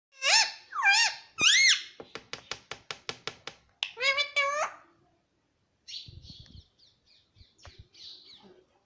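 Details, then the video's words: A pet Alexandrine parakeet gives three harsh, rising screeches, then a quick run of about eight sharp clicking notes, two more squawks and softer high chatter. "Parrot Sound || pahadi parrot natural sound"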